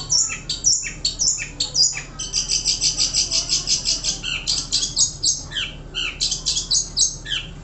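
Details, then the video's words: Long-tailed shrike, a songbird presented as a champion of caged song contests, sings a dense, high chattering song: rapid runs of sharp repeated notes, several bursts per second, interspersed with harsh scratchy phrases and brief pauses. "Burung kicau raja gantangan | Pentet DM"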